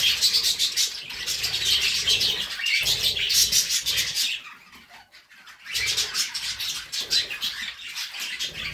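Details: Budgerigars singing: dense, buzzy, chattering warble of quick overlapping chirps, high-pitched and continuous, fading into a brief quiet spell near the middle before the chatter resumes as loud as before.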